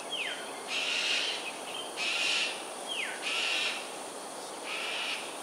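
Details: Harsh grating screams from cockatoos performing an aerial display at Sungei Ulu Pandan, Singapore, early morning, 13 January 2022; four rasping bursts about a second apart, two introduced by a short downward-swooping whistle.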